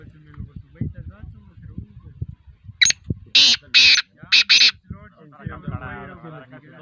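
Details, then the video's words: Black francolin calling: a run of five harsh, grating, buzzy bursts in quick succession, the last two paired, with people talking quietly underneath before and after. "Kala Teetar Voice | Kala Teetar beautiful voice | Kala Teetar sound | Black froncolin voice"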